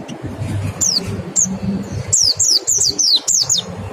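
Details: Mountain white-eye 'ngecal' lure calls and 'nembak' song, meant to stimulate singing: high, thin falling whistles, first spaced and then quickly repeated, over a low rumbling background.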